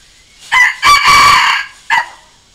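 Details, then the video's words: Decoy crow of a red junglefowl, played to call wild junglefowl into answering and challenging. A single crow: a short first syllable, a drawn-out ringing middle, then a short closing note. No other sounds. "เสียงต่อไก่ป่า เสียงไก่สำหลับต่อ"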